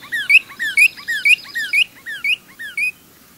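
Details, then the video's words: Singing female Northern Cardinal, females being as adept at song as males: steady run of paired whistled notes, a downward slur then a rising upslur, repeated about twice per second with a faint chattering trill behind. "but if you listen carefully if you watch you may actually see and hear a female singing"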